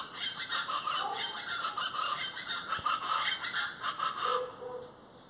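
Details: Plain chachalacas giving a steady, noisy chorus of coarse, rattling calls that rise and fall in rough pulses, with a lower clucking note near the end as the group quiets.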